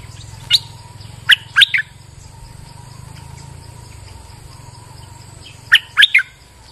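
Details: Bulbul calling in rainy weather, giving short bright warbled phrases of two to three quick notes, one group early and another near the end, over a steady high insect-like whine and a low hum.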